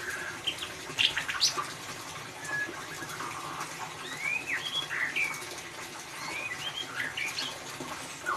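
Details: Lure song of a white-rumped shama, ngeriwik style, for prompting a silent bird: loud sharp notes, then sweeping whistled slurs and chatter in uneven bursts over a constant hiss.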